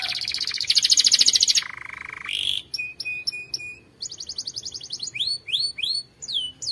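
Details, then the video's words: Canary training song, loud and powerful: fast buzzy high rolls, then a lower steady trill, clipped repeated whistled notes, a rapid high trill, and finally a series of rising swept whistles repeated about twice per second, without other sounds. "Canary' s most powerful song - spectacular video training canary singing bird"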